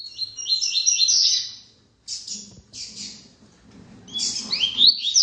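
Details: Seedeater singing in short bursts of high, rapid twittering and trilled notes separated by brief pauses, with a few sharp slurred whistles at the end and a faint low hum behind.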